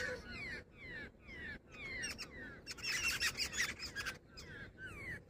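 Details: Jungle babbler, described as female, calling in short descending nasal notes at an uneven pace, with a louder tangle of squeaky chatter in the middle.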